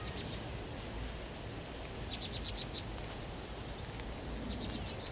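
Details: Vinous-throated parrotbills crying out in distress while a Eurasian jay attacks them; short bursts of rapid, thin, high notes come in clusters of four or five, over steady background noise.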